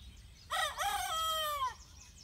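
A young Easter egger rooster gives one crow: a short clipped opening, then a long held note that falls slightly, fairly high and a little hoarse.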